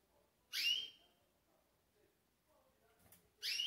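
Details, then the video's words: Green pintagol recorded up close before going to sleep: two sharp, bright whistled notes, each starting high and sliding down to a level tone, with a long quiet gap between them. "GRAVANDO PINTAGOL ANTES DELES DORMIR"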